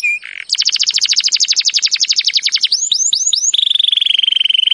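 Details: Canary training song opening with a brief trill and buzzy note, then a fast run of clipped descending notes, four rising upslurs and a long steady rolling trill.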